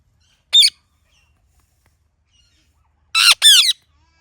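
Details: Ringneck parrot chirping naturally: one short raspy squawk, a quiet gap of over two seconds, then a loud harsh double screech.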